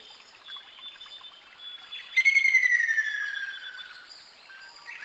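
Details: Ruddy kingfisher giving a single rolling trill that drops gradually in pitch over nearly two seconds, preceded by softer, higher whistled notes from other birds in the background.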